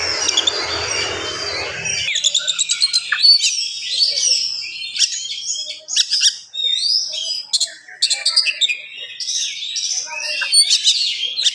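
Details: Oriental magpie-robin singing at speed in the morning to provoke other magpie-robins: after a noisy start, crisp rapid chips, clicks and short whistled slurs follow in quick bursts.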